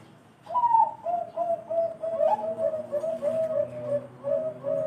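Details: Perkutut (zebra dove) of the Bangkok type, its voice prized as special and thick: a long run of soft cooing notes after an opening high coo, about a dozen rounded pulses running nearly four seconds.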